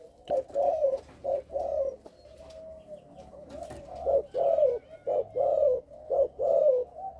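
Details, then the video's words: Captive spotted dove of Malaysian lineage, bred for sale of young birds, cooing in a stuttering style over the first three notes: low, mellow coo phrases repeated in uneven bursts, with faint room noise. "gù cà lăm 3 tiếng đầu"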